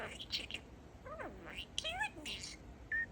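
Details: Male pet parakeet speaking in its chattering voice: speech-like rising and falling tonal glides, raspy consonant-like bursts and a short high tone at the end.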